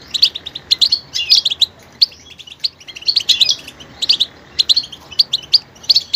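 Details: Varied goldfinch singing, clusters of quick high twitters and tinkling chirps in bursts separated by brief pauses.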